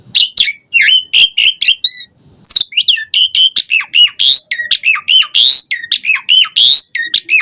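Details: Lively song of an Asian pied starling packed with varied imitated phrases, used to coax caged birds into singing: dense, almost nonstop chattering of shrill chirps, dipping whistles and scratchy notes.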